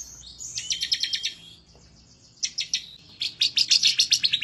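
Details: Bar-winged prinia in excited, emotional song while seeking a rival: three quick bursts of staccato high-pitched notes, the first two split by a silent gap of nearly a second, the last burst longest and loudest.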